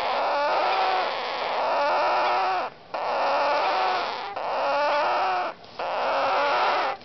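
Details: Baby Indian ringneck parakeets, said to sound like kittens, giving harsh, raspy, continuous calls in four long bursts of about one and a half seconds, each separated by a brief silent gap.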